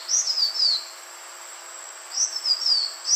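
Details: Green iora, from a long lure recording: a phrase of high whistles falling in pitch, a long pause, then a similar descending run ending on a rising note, with a constant hiss behind.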